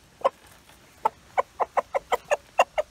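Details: Rooster calling hens over to a find of beetles and bugs: short, sharp clucking notes repeated in a quick series, about nine clucks in under three seconds, spaced irregularly with a gap near the start.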